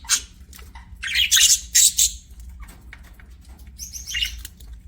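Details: Pet budgerigar chirping, a couple of loud buzzy bursts followed by softer warbled notes and a stacked, slightly rising chirp near the end.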